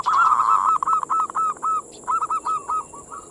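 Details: A zebra dove (perkutut) sings, used as a lure for local doves, giving a rapid rolling trill, then a run of short, soft cooing notes about four per second, over a steady high electronic whine.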